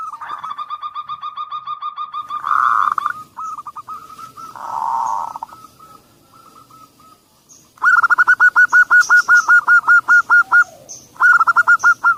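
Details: Zebra dove song used to coax quiet doves into singing: long runs of hooked cooing notes, a few rough blurred bursts midway, then loud regular trilled coos repeated over two times a second, with faint high chirps.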